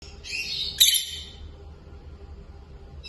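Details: Peach-faced lovebird pair, kept birds curious about the camera, giving a burst of shrill, buzzy high chirps over about one second, then a sharp squeak and a brief chirp at the end; a low steady hum runs underneath.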